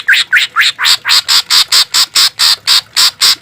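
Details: Green leafbird (cucak ijo) song used to tutor and soothe caged birds: a harsh, buzzy 'tembakan' burst of broadband notes repeated about twice a second, the first few sliding upward, loud and steady throughout.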